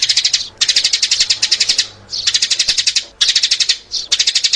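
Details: Rapid, high sparrow chirping used to lure sparrows, delivered in regular bursts about a second long with short, even gaps between them.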